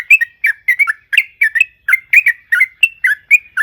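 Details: Clean, close yellow-vented bulbul song: crisp liquid notes in pairs and triplets, each slurring down then up, delivered rapidly and evenly.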